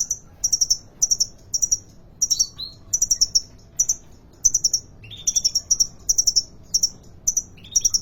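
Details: Sunbird known as kolibri ninja, singing strongly at a bird market in Depok: dense runs of high, sharp chipping trills, broken by occasional lower buzzy slurred notes, continuing almost without pause.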